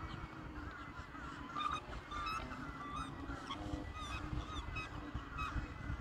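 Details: Black swans in courtship and mating, uttering soft, wavering, high honking calls scattered across six seconds, quieter and more spaced than a chorus, over a constant low background hum.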